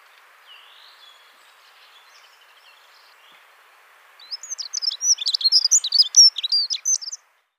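A Dunnock gives a fast, high, jangling warble lasting about three seconds, a thin tinkling stream of notes, after a faint distant call over soft background hiss.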